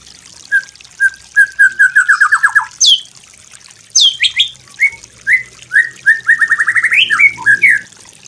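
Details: Training master song of a white-rumped shama: soft spaced whistles swell into a rapid falling series, then sweeping high slurs and short rising notes that build into a quick ascending run.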